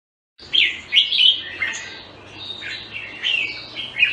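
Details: Red-whiskered bulbul, locally called jambul, recorded in Singapore: after a brief silence, bright bubbling warbled phrases, short slurred notes rising and falling, given in quick bursts about every half second, with a faint low hum beneath.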